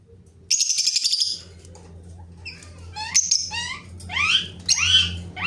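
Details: Rose-ringed parakeet talking, opening with a harsh buzzy screech, then a pause before sharp falling whistles and sweeping rising-falling notes near the end, over a steady low hum.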